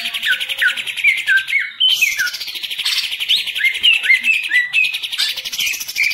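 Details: Hobby-kept green leafbird from Indonesia delivering rapid repeated chirps and short downslurred whistles over a continuous buzzy trill.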